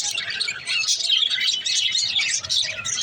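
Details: Mother budgie with others in their nest pot keep up a dense, continuous chatter of high, scratchy chirps and warbles with no pause, several birds overlapping.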